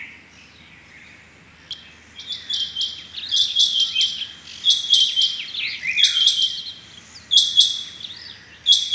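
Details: Rain quail heard on the morning of 6 July 2021, giving rapid clusters of sharp, high ringing notes that build from quiet into denser, overlapping runs, with fainter lower slurred notes underneath.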